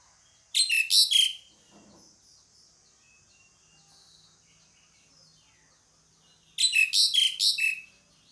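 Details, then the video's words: Pied myna giving two well-separated bursts of rapid, rasping, buzzy notes, with a long quiet stretch and light background hiss between them. "SUARA PANGGILAN JALAK SUREN"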